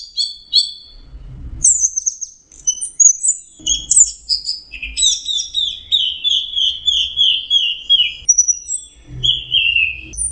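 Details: Orange-headed thrush (Geokichla citrina) singing a sweet, varied song: high whistled notes and slurred phrases, then a run of descending buzzy trills in a quick series, with soft low thumps in the background.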